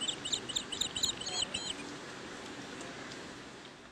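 Asian green bee-eater giving a quick series of high, thin trilled chirps for about two seconds, then fading out over a low background hum.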